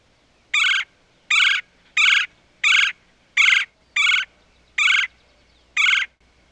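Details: Woodpecker working on a tree trunk gives a series of eight harsh, buzzy, squeaky calls. The calls come at an uneven pace, roughly one every three-quarters of a second.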